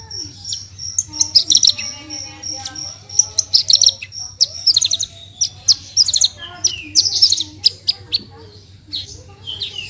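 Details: Horsfield's bush lark, locally branjangan, singing vigorously with 'tembakan' bursts: sharp high chirps and twittering clusters alternate with quieter warbled notes, a steady low hum continuing throughout.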